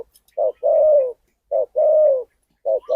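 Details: Wild Spotted Dove from Phrae, Thailand, calling at a decoy trapping site: low mellow coos, each phrase a short note followed by a longer drawn-out note. The phrases repeat about every 1.2 seconds in an otherwise quiet setting.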